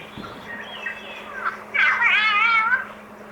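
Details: A wild Palm Cockatoo of the Australian subspecies, in storm-damaged forest near the Archer River, gives a loud, wavering whistle like a drawn-out 'hello' lasting about a second. Fainter notes come first, over a low steady hum.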